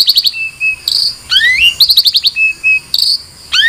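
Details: Long-tailed shrike song: quick bursts of high chirps mixed with sharp rising whistled sweeps and short steady whistled notes, phrases changing every second or so, in a quiet background.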